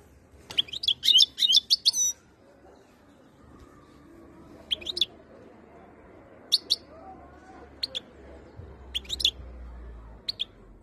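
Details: European goldfinch in Algeria, ready to mate, singing in the khaloui style: a rapid burst of bright, tinkling, high twittering notes, then single sharp chirps spaced about a second apart over a faint low hum.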